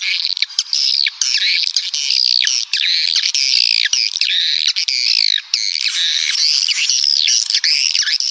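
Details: A swiftlet lure call: swiftlets twitter without pause in a dense chorus of high, rapid, overlapping chirps and trills, with no breaks and no other sounds.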